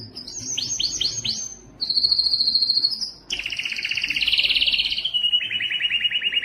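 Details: Strong male canary singing, recorded to stimulate other males to sing and hens to breed. High rapid rolled trills and downward-swept notes, then a steady whistled tone and a long buzzy lower trill that steps down in pitch.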